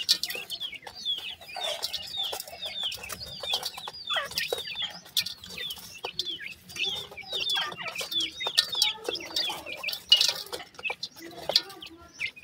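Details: A brood of grey francolin chicks gives a continuous chorus of high, short, falling peeps, packed closely and irregularly, mixed with frequent tapping and clicking sounds.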